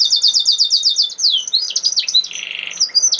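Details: Canary in the high-pitched 'nembak' style, used to lure lazy canaries into singing: rapid repeated downward-sweeping notes, then slurred whistles and a short buzzy trill near the end.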